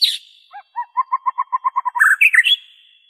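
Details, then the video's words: White-rumped shama song, an original recording without imitated phrases, used to prompt captive and wild birds to sing: a sweeping whistle, then a fast run of about ten even mid-pitched notes, ending in rising whistled flourishes. "PANCINGAN SUARA MURAI BATU ORIGINAL TANPA ISIAN"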